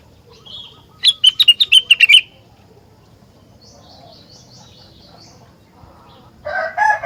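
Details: Energetic rengganis song, claimed to draw answering song from other rengganis: a quick burst of bright, clipped high chirps lasting about a second, then a soft wavering warble and a short harsh lower note.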